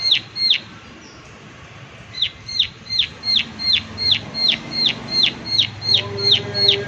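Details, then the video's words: Prinia calling 'klik klik' in a natural setting: two quick, high, downward-sweeping notes, a pause of over a second, then a brisk even series of about eleven more, with a low hum entering near the end. "Prenjak Klik Klik Gacor Suara Alam Dan Isian || Prenjak Klik Klik Pasti Nyaut"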